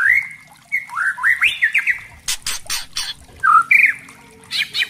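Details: Singing white-rumped shama, played as a tutor for young spotted shamas: sliding whistled phrases rising and falling, then loud rasping bursts, a short looping whistle and a final harsh note.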